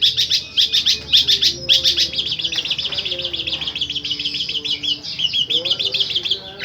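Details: Long-tailed shrike, a caged songbird kept for its repeated, powerful song, delivering dense bursts of sharp chirps and rapid trills, then a long buzzy rattling trill; faint low hum underneath.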